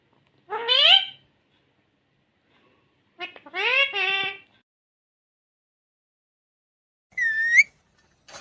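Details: Talking green ringneck parrot gives three speech-like phrases separated by silence: a rising nasal syllable, a longer stuttering multi-syllable phrase, then a high squeaky rising note.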